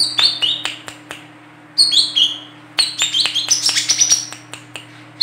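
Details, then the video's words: Sharp, tight, speedy chirping from a female olive-backed sunbird used to lure others: clusters of high downslurred notes and a fast, buzzy high trill, against a faint electrical hum. "WICEH BETINA GACOR COCOK UNTUK PANCINGAN KOLIBRI KELAPA"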